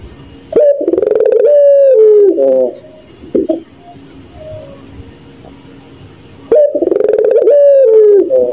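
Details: Puter pelung dove cooing at night: a deep, gurgling coo phrase that slides downward, a short pause with a soft low note, then a second matching phrase, over a faint continuous high tone.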